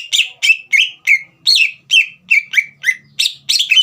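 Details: Continuous green leafbird song, used to stir young speckled birds to sing: loud, rich whistles, each sweeping down in pitch, delivered almost three per second with little pause.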